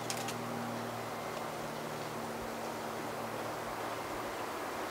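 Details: Steady broadband hiss with a low hum and a few brief clicks at the start; no animal calls are heard.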